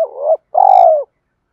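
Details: Spotted dove giving its call to hens and a challenge to fight, used for stirring a decoy: a steady coo ending, a short pause, then one drawn-out, rich, gently falling coo with a faint brief high chirp.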